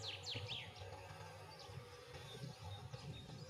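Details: White wagtail uttering three quick, high, downward-sliding chirps in the first half-second, followed by fainter scattered twitters against a constant low hum.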